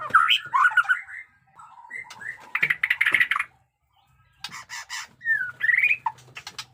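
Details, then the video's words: White-rumped shama in varied song mixing chattering slurred notes and harsh bursts, with rapid broadband clicks and a closing pair of rising whistles; faint low hum throughout. "pesona AURA MURAI BATU JENGGOT DEWA fighter abis Batuk Koral, Muntah beling"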